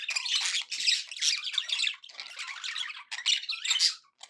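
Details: Pet budgies chattering happily with loud, raspy squawks and fast warbled notes running almost without break, ending in a sharp high chirp and brief quiet.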